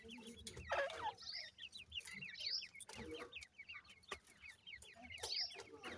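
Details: Francolin chicks feed amid a continuous twittering of short downslurred cheeps, overlapping from several young birds, punctuated by a few louder squeaks and sharp tapping sounds.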